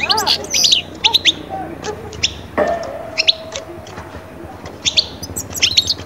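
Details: European goldfinch song used to bring birds out of moult into summer breeding mood: short bright twittering chirps in brief bursts at the start and end, with a low hum and a faint steady tone between them.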